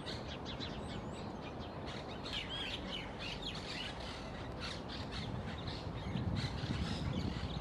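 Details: Perched crested mynas beside the Quequén River path in Necochea, Buenos Aires Province, on 13 July 2021; one gives harsh squawks mixed with short curving whistles, scattered and irregular, over a steady low rumble of wind or distant traffic.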